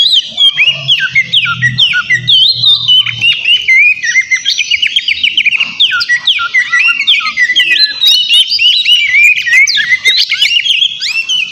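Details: Energetic White-rumped shama song to provoke a rival, a long run of quick downslurred whistles and sharp chips repeated in tight series, mixed with chattering and mimic-like phrases throughout.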